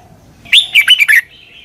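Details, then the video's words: Red-whiskered bulbul, southern-style double song for copying: a single short run of about five bubbly, slurred whistles, ending in a soft trailing tone. "เสียงนกกรงหัวจุก เบิ้ล แม่บทใต้"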